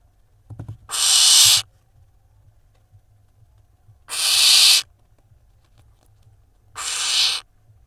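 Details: Barn owl nestlings filmed by nest camera in Israel on 3 June 2021 while the youngest preens a sibling; three drawn-out breathy hisses roughly every three seconds, with faint clicks before the first.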